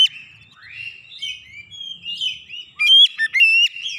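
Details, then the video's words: Oriental magpie-robin song meant as training material for other birds: soft, varied warbled whistles build up, then give way to loud, clear, sharply pitched whistled phrases near the end. "masteran Kacer"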